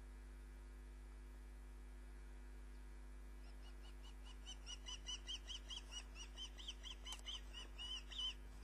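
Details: A female osprey brings a caught fish to the nest at Loch of the Lowes on a June evening in 2010, heard over a live camera. After three quiet seconds, a long series of sharp, repeated whistled chirps builds in loudness, with constant mains hum.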